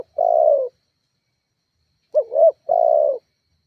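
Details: Spotted dove lure call meant to provoke rivals: a drawn-out falling coo, a pause of over a second, then a wavering double coo and another long descending coo.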